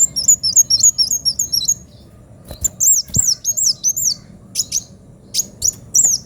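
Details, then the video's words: Lively, sharp-toned song of a kolibri wulung sunbird: tight series of tiny high twisting notes, then bold arched whistles interspersed with thin sharp ticks, pausing briefly between phrases. "Kolibri wulung gacor suara pedes"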